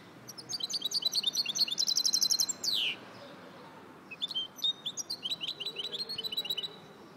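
A goldfinch mule sings bright, rapid twittering trills, broken by a quick descending slur.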